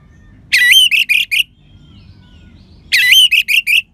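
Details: Orange-headed thrush singing in a clear crystal voice, played to prompt lethargic birds to sing; two short bursts of four or five bright, slurred whistles, with silence between and faint low background hum.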